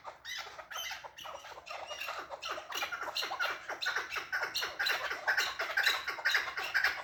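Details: Chukar partridge calling in a fast series of harsh, broadband chuk notes, about two per second, growing louder and denser toward the end.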